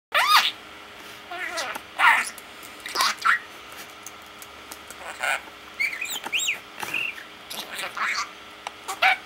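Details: Pet parakeet talking to himself indoors: scattered chattering, squeaky and warbling notes with short rising and falling whistles, broken by quiet pauses over a faint steady background hum.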